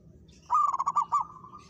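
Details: Local zebra dove challenging a rival and calling in reply: a loud, rapidly stuttering burst of mellow coo pulses that trails into a long, level, purring note.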